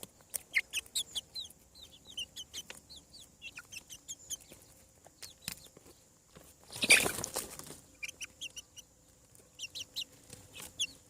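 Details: Newly hatched chicks on a farm peeping in short, high, downward-sliding notes, scattered and uneven, with a loud rustling burst of noise near the seventh second and a faint steady hum underneath.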